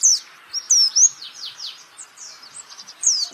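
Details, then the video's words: Short passage of white-eye training song: separate sharp, high whistled notes sliding steeply downward, spaced irregularly, some loud and bright, others softer, without the long trill. "pleci Jawara Pake Masteran ini jamin Geter-GETER"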